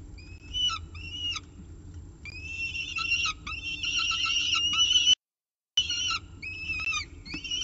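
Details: Peregrine falcon on the nest with a pigeon at 7:59 am, 24 October 2018, Orange; short paired upslurred squeals, then a long sustained wailing call, a brief gap, and more rising chips.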